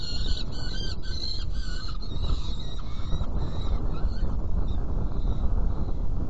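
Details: Saker falcon feeding at a nest box on 17 June 2018, 10:31. Drawn-out, grating calls in the first half fade away to leave only a heavy low rumble.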